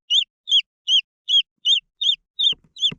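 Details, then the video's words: Green junglefowl chicks give high, falling peeps about every third of a second, with soft low rustling or tapping noises joining in the final half second. "The Sound of jungle fowl chicks"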